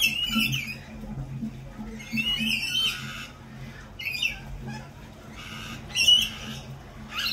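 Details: Spring at a lorikeet cafe: loud grating squawks come in bursts separated by short gaps, several birds calling over one another, with a low background hum beneath.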